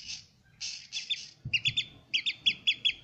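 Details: Newly hatched Eurasian oystercatcher chick, captive at Zoo Praha, recorded on Friday 24 July: soft breathy notes, then a quick run of sharp, high peeps in short pulses, about two or three per half second, against a quiet background.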